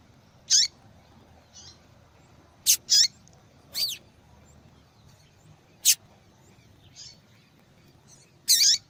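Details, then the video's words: Female yellow-bellied seedeater calling a lot, used to stimulate a reluctant male to sing: irregular series of short, sharp, high chirps, some paired or sweeping downward, separated by gaps of one to three seconds with faint quieter notes. "Fêmea de Papa capim Chamando Muito !"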